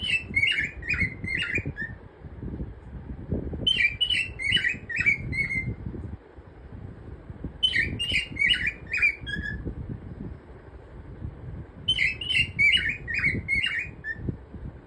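A cockatiel sings short bursts of bright, warbling whistles, repeated about every four seconds.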